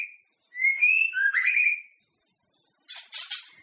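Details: White-rumped shama singing, played to get other shamas singing ahead of a contest: a short burst of rich, sliding whistled phrases, silence, then a brief harsh rasping burst.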